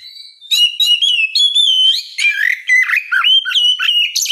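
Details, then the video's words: Oriental magpie-robin singing ngeplong in the morning to draw a reply from rivals: a long, strong sequence of bright whistled phrases and quick descending chirps repeated in short bursts with brief gaps. "Kicau suara burung Kacer ngeplong memancing lawan di pagi hari, sekali dengar langsung nyaut!"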